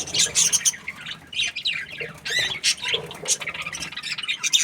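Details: Happy budgerigar chirping in distinct separate notes: sharp squeaky chirps, short squawks and a few rising and falling whistles, delivered in quick uneven bursts with short silences between.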